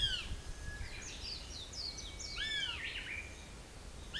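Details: Fledged juvenile northern goshawk calling near its nest: several drawn-out, downward-curving wailing notes with a thin higher overtone, mixed with faint chirps from small birds and steady background hiss.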